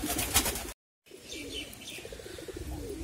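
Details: Golla pigeons, breeding birds that lay eggs and raise chicks, recorded in 2022. A burst of handling noise breaks off into silence, then low, soft pulsed cooing follows in quick repeated notes over faint background hiss.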